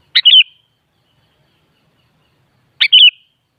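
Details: Kutilang, the sooty-headed bulbul, singing two identical short chirpy phrases about two and a half seconds apart, each a quick burst of liquid notes ending in a brief falling whistle, against a silent background.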